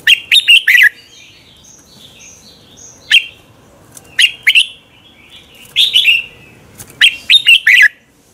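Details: Morning contest singing of a red-whiskered bulbul, used as a lure to spur birds into song: several clipped phrases of three to five sweet, chattering whistles, with softer high notes from another bird in between.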